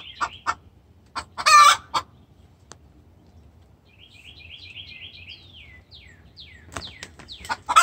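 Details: Hen distress call to the rooster: a loud harsh squawk amid scattered clucks, then a stretch of busy high twittering from small birds before another squawk at the end.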